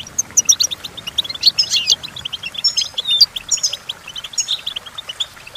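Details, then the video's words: Twittering goldfinch song meant to teach goldfinches to sing, a lively chain of high clipped notes broken by buzzy rattles and clear whistled strokes, continuous throughout. "Golden Tunes The Entrancing Song of Goldfinches Birds"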